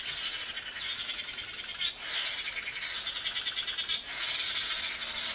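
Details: Male swallow-tailed (blue) manakins (Chiroxiphia caudata) give mating-display calls in the forest, a dense, high, rapidly pulsing chorus of chirping notes that runs almost without pause, with two brief lulls.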